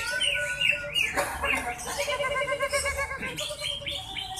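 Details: Greater green leafbird singing at a songbird contest hanging pole, a newcomer that took first place with a song full of isian (filler phrases). Rows of repeated, wavering harmonic notes and rising whistles, with other birds chirping densely behind it.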